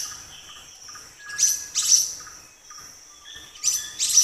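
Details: Black-naped monarch making two sharp, high, ringing chips, a quiet gap with faint soft notes, then two more chips; calm background.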